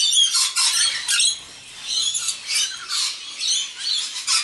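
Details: Rainbow lorikeets, wild, gathered for an evening feed with a young bird among them, give rapid grating squawks, several per second, in a noisy chorus with brief lulls.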